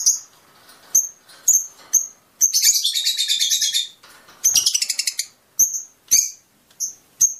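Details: Fischer's lovebird singing to stimulate mating: short sharp high chirps spaced about half a second apart, broken by two longer rapid buzzy chattering bursts.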